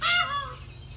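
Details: A captive goose sitting in a corner nest spot honks at everybody, apparently wanting its mate to come out: one loud, brassy honk that starts high and slides downward, fading within half a second; faint murmur follows.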